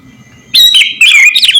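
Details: Sooty-headed bulbul of the kind called kutilang garuda, singing vigorously as training song for captive birds: after half a second of quiet, two loud bursts of bright chirpy, warbling notes.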